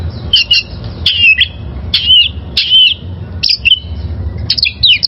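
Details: Oriental magpie-robin song, a wild bird recorded for training caged birds: rich warbled phrases roughly once a second, each a loud whistled slur with buzzy edges, above faint low rumble.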